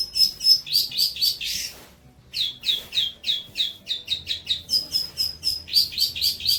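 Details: Long-tailed shrike song for tutoring other birds, a fast series of sharp descending chirps repeated about four times a second, broken by one brief pause.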